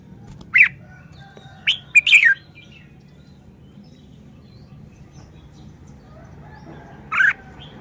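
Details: Red-whiskered bulbul singing: a sparse burst of quick, bright whistled notes, a short slurred phrase near the start, then silence before one last emphatic note, over a faint low hum.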